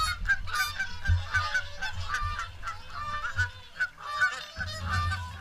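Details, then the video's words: Swans honking at feeding time in the morning at WWT Caerlaverock, a busy chorus of overlapping trumpet-like calls with occasional low thumps and rumble beneath. "Morning Swan Feed"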